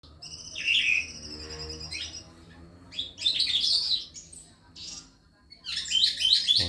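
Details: Calandra lark, a newly arrived caged bird singing at night, sings in bursts of rich, scratchy chirps and trills, high and busy, with short pauses between phrases; faint speech in the background.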